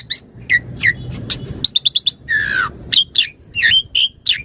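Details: Asian pied starling master song for training and luring; sharp chirps, a rapid run of five clicky notes, a harsh rasping call, then clear whistled notes.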